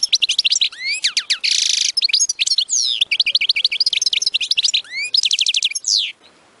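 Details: European goldfinch in an extended tabtaba song, meant to drive goldfinches to sing continuously: rising slurred whistles, a harsh buzzy burst, fast twittering runs and a quick rattled series, lasting about six seconds.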